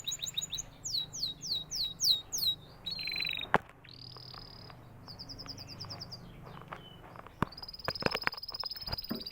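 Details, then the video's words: Canary song opening with a run of loud, sweeping, down-slurred whistles, then shifting into high trills and sustained buzzy rolls, with a few sharp clicks late in the phrase. "natural canary chirping sound"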